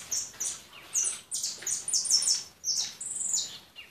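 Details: European goldfinch giving quick high twitters and tinkling phrases, with short pauses between bursts and a clear, thin tone throughout.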